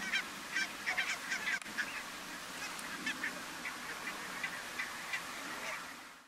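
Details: A flock of Eurasian wigeon (Mareca penelope) gives short, clear, overlapping whistles, several each second, over a low background murmur; Strijen, Netherlands, February 2018.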